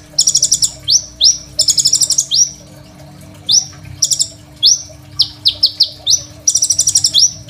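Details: Crimson sunbird in full song, kept as a master tutor for training young sunbirds and other songbirds, phone-recorded: very high, sharp trilled bursts alternate with quick downward-slurred whistles in lively phrases, over a faint steady low hum.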